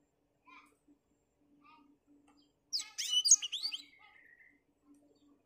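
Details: Black-throated finch singing on a cloudy morning: after a few faint soft notes, a brief jumbled burst of high, twittering and buzzy notes ending in a thin drawn-out whistle, with a low background hum.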